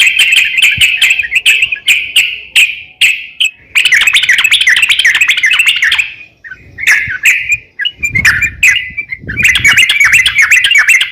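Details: Singing crocok-cokan, offered as a master recording for songbird training: clipped chirps in a quick series, then loud, tangled warbling, a brief lull, and more rapid twittering phrases.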